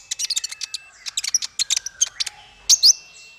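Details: High-pitched bird song for training small fighter birds: a rapid series of sharp, clicking chirps, a short pause, then two loud, bright, slurred whistles.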